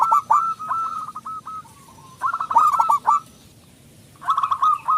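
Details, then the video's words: Loud song of a local zebra dove, used as a lure to make other doves sing: fast series of short, hooked cooing notes in bursts, with brief pauses between phrases. "perkutut lokal gacor suara besar pancingan super ampuh"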